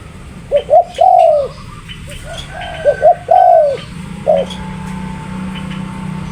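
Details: Spotted dove, called tekukur, giving two phrases of short double coos leading into a long falling coo, then a lone short coo, with faint chirps and a low steady hum.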